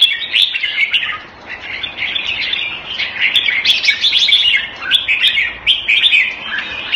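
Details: Red-whiskered bulbul kept in a cage Thai style in Singapore, 2018, delivers a lively chattering song of quick whistled phrases, dipping briefly before resuming with louder bright notes.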